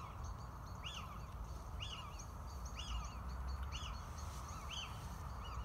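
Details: Little owl in Cantabria, Spain, singing sharp, mewing 'kee-ew' notes that rise then drop, repeated about once a second over a steady low rumble of wind or distant traffic.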